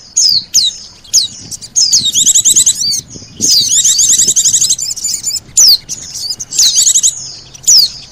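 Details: Mixed pleci and sogon attraction call for luring birds: high, sharp downslurred whistles alternate with dense, buzzy trilled bursts, repeated several times.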